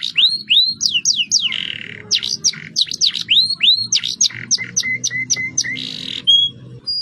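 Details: Canary song used as a lure to get other birds singing: repeated swooping whistled notes, buzzy rolled passages and a run of quick evenly spaced chirps, ending with a short high whistle.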